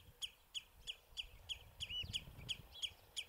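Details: Several house sparrows on a bramble branch at Battenoord, recorded with a compact Sony Cybershot; a brisk run of ten clipped, high chirps roughly three per second, one slurred note midway, quiet background.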